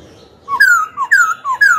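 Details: Song of a black-throated laughingthrush, used to stir newly caught birds into fighting and to coach the voices of young birds: three or four loud, clear whistles, each sliding downward, in quick succession.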